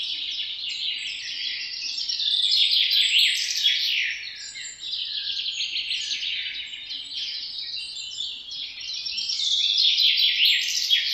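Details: Parrots giving a dense, continuous high chatter of rapid chirps and warbled twitters, swelling and fading in waves, with no pause for eleven seconds.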